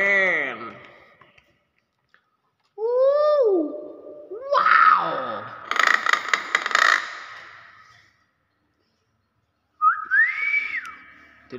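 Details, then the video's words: Tame Nias hill myna giving its own voice: harsh stacked nasal calls, a bent whistle, a burst of rasping noisy notes, then a rising-falling clear whistle, with gaps of silence between. People exclaim in admiration and clap nearby. "BURUNG BEO NIAS SUARA ASLI"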